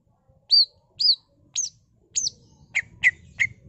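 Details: Greater green leafbird giving energetic song stuffed with mimicry, played to coax other leafbirds into singing: four looping high whistled sweeps about half a second apart, then three quick lower chips.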